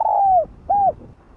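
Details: Spotted dove's soft calling coo, meant to rouse decoy doves. A long, loud coo that bends downward at its end is followed by a shorter, rounded coo. The background is quiet.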